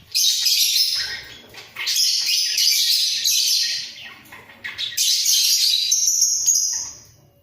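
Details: A pair of budgerigars in a breeding cage, bobbing their heads as they sing: dense, chattering warble high in pitch, in loud bursts of one to two seconds separated by brief dips, ending with a steady whistled note.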